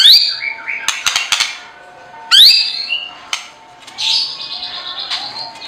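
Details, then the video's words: Lovebird chatter: shrill rising whistles and squeaky chirps in short bursts, broken by sharp clicking notes and brief pauses. "The Melodious Sound of Turtledoves, Lovebirds, Stone Magpies, Hummingbirds and Eagles"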